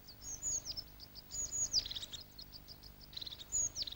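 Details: A crested tit calls to establish its territory before nesting season in old Scots pine forest in the Scottish Highlands: thin, high trilled calls in quick bursts and short downslurred notes about every 1.5 seconds, with faint hiss.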